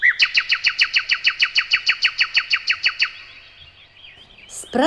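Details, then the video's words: Nightingale singing in May, as birds return in spring: a fast, even run of about fifteen loud, down-slurred whistled notes over three seconds, then a softer warbled trill; brief noise follows. "славиться травень і співами солов'я ось послухайте як співає соловейко [сміх] справді"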